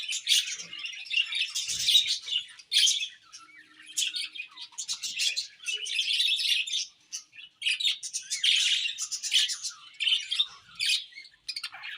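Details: Budgerigars chirping together in a dense, continuous chatter of high, buzzy warbles and quick tweets, with short pauses between bursts.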